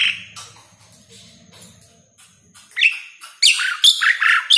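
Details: Jalak suren master song for prompting idle captive birds: a few faint scratchy notes and a quiet lull, then loud harsh chattering and upslurred whistles burst in near the end.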